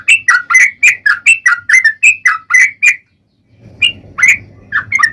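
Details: Sooty-headed bulbul in a long run of song, used as a lure to provoke other bulbuls into singing: rapid evenly spaced two-part chirps about four per second, a brief silence, then scattered notes over low rumbling noise.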